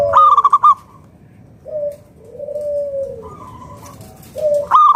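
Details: Local zebra dove of wild stock, used to draw other doves into singing, gives a sharp rattling staccato burst, then long drawn, lower hollow coos, and ends with another bright rapid burst.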